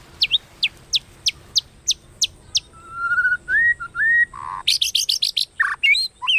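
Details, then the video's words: White-rumped shama hót đấu fighting song, kéo thuốc lào style, used to provoke: sharp high downslurred notes repeated about every third of a second, a steady rising trill, flat whistles, then rapid buzzy bursts and looping calls. "Tiếng Kích Chòe Lửa Hót Đấu Kéo Thuốc Lào /Kích Chòe Lửa Căng Lửa / Chòe Lửa Hót Đấu"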